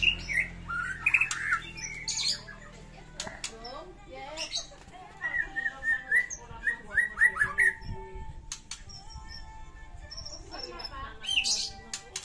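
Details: White-rumped shama in fighting mode, a rich song played to coax a silent shama into singing: scattered harsh chips and clicks around a string of quick, bubbling whistled notes repeated in a loose series.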